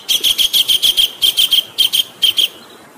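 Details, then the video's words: Kingfisher tutor recording with running water behind: sharp, high, clipped notes come in uneven clusters of two to five, with short gaps between groups, then fade to the hiss of flowing water. "MESTERAN KASAR RAJA UDANG"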